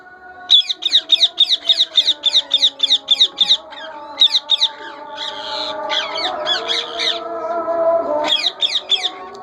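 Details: Indian ringneck parakeet breeding colony with chicks: rapid series of sharp, scratchy chattering notes, about three per second, then a rougher squawking passage with a low steady hum beneath.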